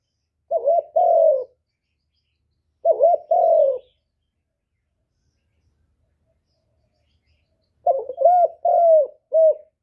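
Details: Spotted dove giving low, mellow coos intended to provoke answering doves; three bursts of a short note plus a longer falling hoot, the last burst extended with extra notes after a long pause.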